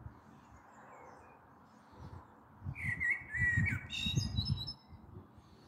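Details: Evening song of a common blackbird, 21 April 2022, with a possible thunderstorm coming: a mellow whistled phrase sliding down, then a burst of high squeaky twitters, with low-pitched rumble underneath.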